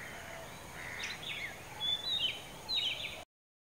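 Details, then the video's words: Oriental magpie-robin perched atop a dead coconut tree about 15 m up at Kankavli, Sindhudurg district, Maharashtra, singing: short clear whistled notes and quick slurred phrases in the second half, over a faint steady hiss. "Beautiful Bird Song: Oriental Magpie Robin singing"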